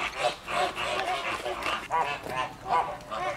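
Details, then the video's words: Noisy flamingos, Llanelli Wetland Centre in Wales, August 2021, giving rapid nasal honks about three per second, each with a slightly rising, wavering tone over a steady flock babble. "Noisy flamingos"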